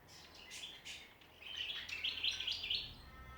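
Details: Australian backyard songbirds at Ballajura, WA: a few scattered chirps lead into a louder, sustained stream of high, fast twittering notes.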